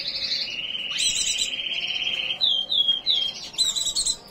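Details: White-eye in breeding condition: a steady high buzzing trill, then three or four clear down-slurred whistled notes in quick succession, framed by bursts of shrill twittering.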